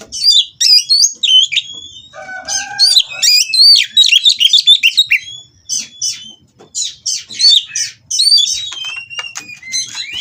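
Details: Mating captive white-rumped shama singing to provoke rival birds; long lively series of sharp chirps, trills and swooping whistles in uneven bursts, with a lower buzzy phrase near the start.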